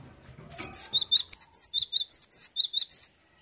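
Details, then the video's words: Cinereous tit in full, active song (gacor): a piercing high two-part phrase, a wobbling whistle then a quick downward flick, repeated about six times at a fast, steady pace, with faint low background noise at the start. "Gelatik batu gacor"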